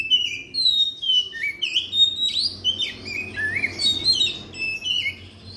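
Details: Oriental magpie-robin song played as a lure to prompt reluctant magpie-robins to sing: a rich, varied run of clear whistles, sliding and warbled phrases with quick chirps between them, delivered continuously at a high pitch.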